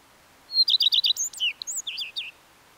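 A common redstart sings a short phrase: a high clear opening note, a quick run of four or five repeated notes, then a varied scratchy twittering ending.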